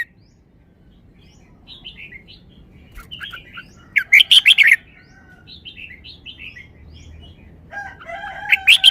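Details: Red-whiskered bulbul sings wild-song style (pleng pa) phrasing: quiet chirpy warbled phrases, a loud cluster of sharp bright notes midway, then more soft phrases and a final strong burst.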